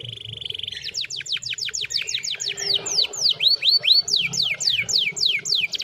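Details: Canary singing a steady fast series of sharply descending whistles after a brief buzzy note, shifting to lower looping swoops midway and back to quick high down-slurs.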